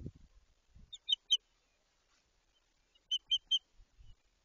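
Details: White-tailed eagle at a nest being built at the start of the season in Jedwabno, Poland: two bursts of three sharp, high yelping notes, separated by a pause, with faint low thuds and little else around.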